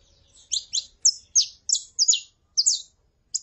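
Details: Female saffron finch calling with a male singing, used to excite a male. Separate sharp, high, downward-sweeping chirps come in ones and pairs at irregular intervals of a quarter to half a second, in a quiet setting.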